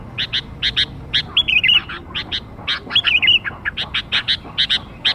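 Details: Lively sooty-headed bulbul sound for luring young birds: paired sharp chirps repeated steadily, with two warbled whistled phrases in between.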